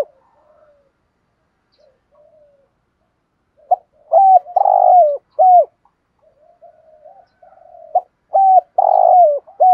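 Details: Spotted dove cooing with the voice style called thổ sấm in Vietnam: soft low murmurs, then a loud sequence of short hooked coos, a longer rolling coo and another hooked coo, repeated twice in a quiet setting.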